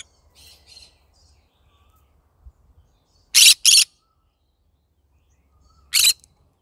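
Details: Yellow-sided green-cheeked conure kept as a pet, calling in the morning. A pair of loud, harsh, rasping squawks comes after faint chatter, then one more squawk follows about two seconds later. A low hum runs underneath.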